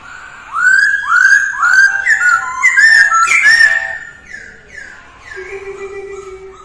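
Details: Masked laughingthrush singing during early-morning voice training: loud, rich whistled notes, each sliding upward, repeated about twice a second, then softer fading notes and a low steady whistle at the end.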